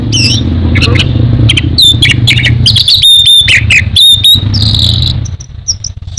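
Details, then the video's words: Orange-headed thrush, a popular caged songbird in Indonesia, singing a fast, varied run of whistled and chattering phrases with sharp high notes around the middle, over steady low engine and traffic rumble that fades near the end. "Burung anis merah teler teler keterlaluan"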